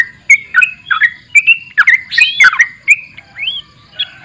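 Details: Sooty-headed bulbul singing actively: a string of short, slurred whistled notes around the same mid pitch, some dipping or rising, with pauses between, ending in a clear upward-arching whistle; quiet background.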